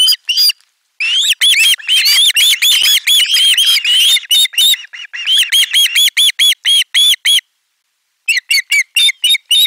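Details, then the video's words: Screaming ospreys at a Finnish camera nest on 18 July 2022 as fish is brought: bursts of rapid high whistled squeals, pausing briefly, resuming in quick repeated piercing notes. "Kala otetaan vastaan äänekkäästi kuorossa kiljuen"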